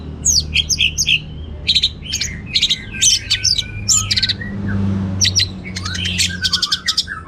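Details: Varied teler-style song from an Orange-headed thrush, packed with material: dense, rapid bursts of sharp high notes and trills, with a brief lull midway before the chatter resumes.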